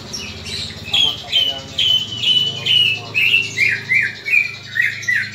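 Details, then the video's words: Greater green leafbird giving harsh, emotional fighting calls used to train other leafbirds' fighting spirit; repeated squawky notes roughly every half second, each a sharp stuttering burst that steps down slightly in pitch through the series, with a low hum behind. "CUCAK IJO TARUNG INI, COCOK UNTUK MELATIH MENTAL TARUNG CUCAK IJO LAIN"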